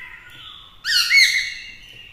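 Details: Black-throated laughingthrush singing from a cage to provoke rivals, with a female beside him; a quiet steady tone is cut by a sudden loud harmonic burst of bright, slightly wavering whistled notes.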